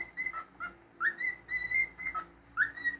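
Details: A pet cockatiel whistles a string of clear, level tones broken by short lower dips, with rising slurred notes starting the phrases near the second mark and again toward the end.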